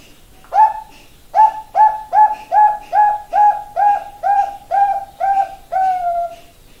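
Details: Zebra dove of the Bangkok type singing: a steady series of about eleven soft, mellow coos, each a short rising then level note repeated roughly every half second, with the last note drawn out and falling, in a quiet indoor room.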